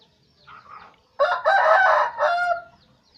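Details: Aceh red junglefowl lure crow: a soft, muffled note, then one sudden harsh crow in three connected parts lasting about a second and a half.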